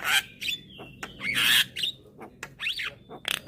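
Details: A young white-eyed Javan myna calls to lure hybrid mynas, bobbing its head: loud harsh rasps alternate with a level whistle and short rising whistled notes, ending in rapid clicks.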